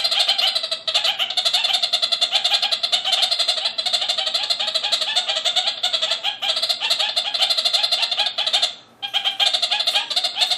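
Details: Caged male red-crowned parakeet chattering at a neighbouring male in the next aviary, a dense, nasal, goat-like stream of rapid repeated notes running almost continuously, with one short break near the end.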